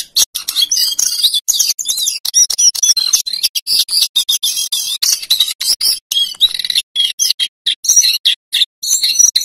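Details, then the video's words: Male lesser shortwing pours out a rapid, high-pitched, jumbled warble of thin whistles and trills in bursts broken by brief pauses, used as a lure and tutor song for other songbirds. "Suara Jongkangan Coklat Jantan GACOR Ngerol Nyuling TELER"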